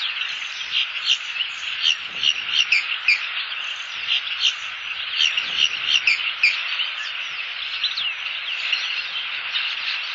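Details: Southwest Florida bald eagle pair conversing off-camera near the nest, 1 October 2015; rapid high chittering and piping notes in irregular bursts over ten seconds, set against a dense insect chorus.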